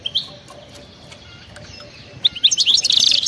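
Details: European goldfinch, wild-type, giving a brief thin note, then a long quiet pause, then a sudden burst of rapid, bright twittering song near the end.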